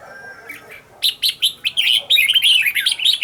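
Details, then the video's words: A decoy red-whiskered bulbul in singing training starts softly, then breaks into a fast, loud run of bright chirped notes that speeds into continuous warbling toward the end. "Cách luyện chào mào mồi - Hót hay nhanh lửa, Căng"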